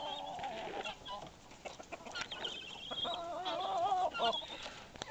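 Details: White Leghorn chicken among its flock, giving a steady stream of soft clucks and wavering calls that overlap with other hens, ending in a louder squawk.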